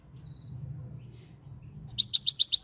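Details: Moroccan European goldfinch: after near silence with a low hum, a loud, rapid series of about seven high, tinkling twittered notes repeats in quick, even succession.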